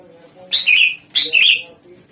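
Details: Greater green leafbird used as a lure to draw replies from other songbirds; two loud, harsh, buzzy chirped notes about 0.7 seconds apart, each sliding downward, over a faint low hum.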